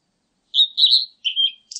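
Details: Blue-and-white flycatcher phrase of three whistled notes, the last lower and drawn out, then a quick scratchy ending note; nothing else audible.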